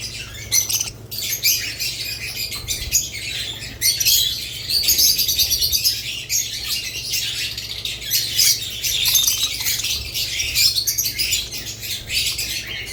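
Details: Budgerigars with lovebirds: a dense, continuous flock chorus of high, scratchy chirps and warbles, rising and falling in loudness, with no pauses over about thirteen seconds.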